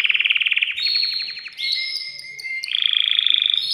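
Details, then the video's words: Excited male canary in a cage singing to stimulate a female for breeding: a fast pulsing rattle, steady whistled tones with a low held note, then a rapid, even chattering trill. "تغريد ذكر كناري هائج يريد تكسير القفص يحفز الأنثي لتزاوج"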